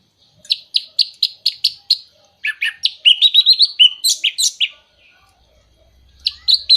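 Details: Orange-headed thrush singing, a recording used to rouse moulting or silent birds: a run of seven evenly spaced high chirps, then a rapid varied phrase of slurred whistles, trills and shrill notes, ending with more chirps after a short pause.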